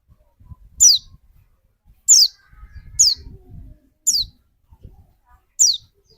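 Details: White-eye sound used to provoke another bird's song: five single, sharp, high downward-sweeping notes spaced about a second apart. Soft low knocks are heard between them.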